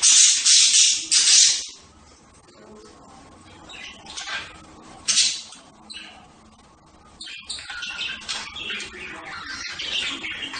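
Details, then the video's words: Budgerigar chatter: loud, rasping bursts open the recording, then sparse scratchy calls follow, and a steady stream of soft twittering builds toward the end. "صوت طيور هند(البادجي)"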